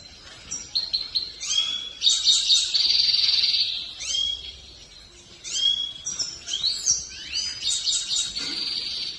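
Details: Grey-crowned goldfinch in song, mixing sweet slurred notes with a long buzzy trill, then further twittering phrases against faint background noise.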